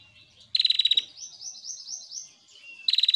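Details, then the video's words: A female prinia, used as a master tutor song, gives a fast, high rattle of sharp chips, then a thin wavering trill, then the rattling chips again. "MASTERAN PRENJAK BETINA GACOR"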